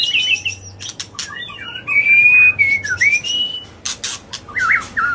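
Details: Agitated white-rumped shama singing without pause to provoke rival birds, a busy mix of harsh chattering bursts, sharp ticks and long sweet whistled glides.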